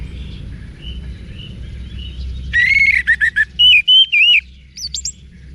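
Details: Orange-headed thrush song used as a training lure for caged birds: after a quiet, faint opening, a burst of loud whistled phrases rises and falls, with quick clipped notes and a final high squeaky flourish over low background hum.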